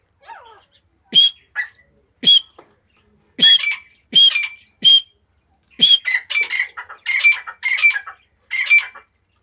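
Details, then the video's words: Iranian female grey francolin: several sharp, whip-like single notes about a second apart, building into a faster chain of harsh, chattering squeaks toward the end. "Irani Madi ke Awaz. ایرانی مادی کی آواز تیتر کی آواز"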